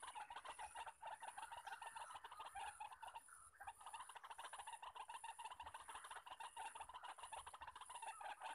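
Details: Wild white-breasted waterhens, many males calling from all directions at a trapping spot: a long, busy chorus of fast harsh croaks, one short lull around three and a half seconds, insects droning steadily.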